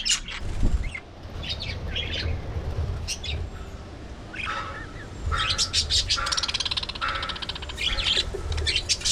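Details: Aviary budgerigar colony with scattered high chirps and warbled notes over a steady low rumble, ending in a fast buzzy chatter of repeated clicks.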